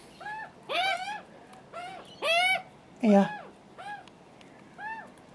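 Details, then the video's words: Screaming hungry juvenile Australian magpies beg for food alongside a nervous adult male: harsh, arched, overtone-rich squawks in separate bursts roughly every second, some doubled, loud against a quiet background. "First visit by screaming hungry juvenile Magpies & nervy Dad"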